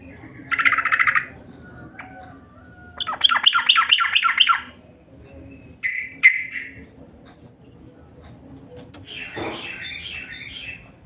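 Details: Yellow-vented bulbul lure call to attract birds: a buzzy rattle, then a run of sharp falling chips, a brief whistled note, and a later burst of harsher squawky chatter over low background hum.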